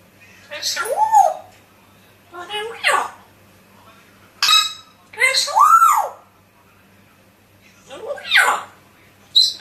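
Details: Parrot mimicking human speech: five loud separate speech-like phrases with strongly rising and falling tones, spaced over about ten seconds, with quiet pauses between them.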